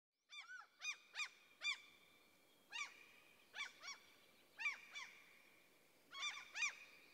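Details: Common cranes in a forest in central Sweden giving loud, ringing, arched trumpeting calls, single and paired notes in an uneven series over about seven seconds, over a steady faint high tone.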